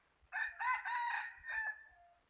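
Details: Rooster crowing: a single loud, harmonic, hoarse crow in three or four joined segments lasting about a second and a half, the last part trailing off, with a quiet background.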